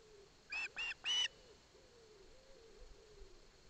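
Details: In Barlinecka Forest an osprey chick receives a fish from its father while the mother attends, giving three quick, high, piping chirps close together, followed by quiet background with a faint low hum.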